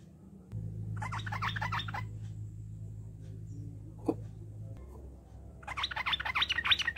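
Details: Sooty-headed bulbul song used to coax other bulbuls into singing: two bursts of quick, bubbly chirped notes separated by a stretch of low steady hum and a single soft thump.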